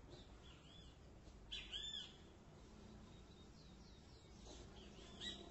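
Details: Great kiskadee giving one clear phrase of sharp, arched whistles, followed by fainter, similar notes near the end. Soft chirps are heard over a low hiss.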